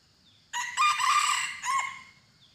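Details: Tame junglefowl kept at a house, courting its hen: a loud, harsh crow rich in overtones, swelling for about a second, then a shorter, fading second burst, over a quiet background.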